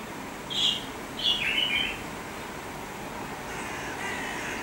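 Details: Fieldfare calling on 23 July 2015: one harsh note, then a brief rasping double note, followed by quiet hiss with a faint distant sound near the end.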